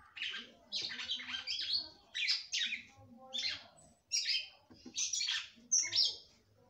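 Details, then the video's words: Female red-cowled cardinal, a breeder's bird, singing to arouse her male; repeated short bursts of high, scratchy twittering, each about half a second, with faint low murmur between. "FÊMEA DE GALO DE CAMPINA CANTANDO MUITO PRA FOGUEAR SEU CAMPINA."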